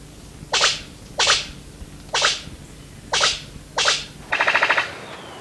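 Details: Brown Sicklebill male in breeding season, courting females from a cleared display branch in a tree: five sharp, explosive cracks about a second apart, then a fast rattling burst of six pulses, like gunfire.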